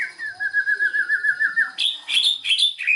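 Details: White-rumped shama song played as a lure to get a non-singing bird to sing: a long wavering warbled trill held steady for over a second, then bright high chipping notes in quick succession.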